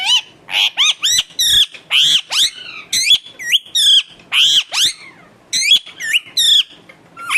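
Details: Pet talking parrot kept at home makes a dense burst of harsh, swooping screeches and raspy squawks, some sliding up, some falling, in quick irregular succession.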